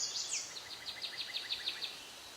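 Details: Northern cardinal: one higher opening note, then a quick run of about ten sharp, high downslurred notes, roughly six a second; faint background hiss throughout.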